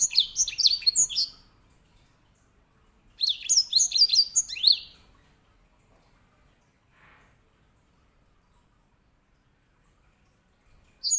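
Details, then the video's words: Grey singing finch (edel sanger, Serinus leucopygius), a finch kept as a song tutor for canaries, gives two bursts of rapid, high, sliding whistled notes and twitters, separated by several seconds of silence, with a brief fragment at the end. "EDEL SANGER SI BURUNG BERSUARA LANTANG"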